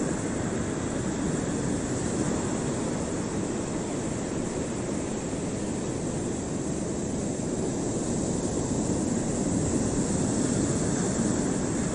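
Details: Steady, roaring broadband noise like a passing aircraft engine fills the whole stretch, with no animal calls heard.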